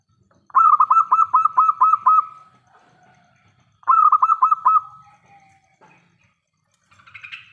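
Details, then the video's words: Local zebra dove with a big voice, calling to lure others into answering: a fast string of about eight throbbing coo pulses, a pause, then a shorter pulsed series trailing into a soft hum, with faint higher notes at the end. "PERKUTUT LOKAL GACOR suara besar"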